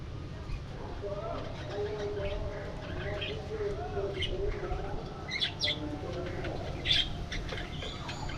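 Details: Budgerigars flying and interacting in an aviary: lower wavering harmonic tones in the first half, then a run of sharp, high chirps and clicks, all over a constant low background rumble.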